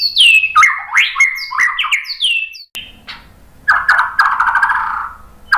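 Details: Shama lure song: a cascade of loud, swooping whistled notes, a short pause, then a harsher, buzzy chattering phrase, with another song burst starting at the end.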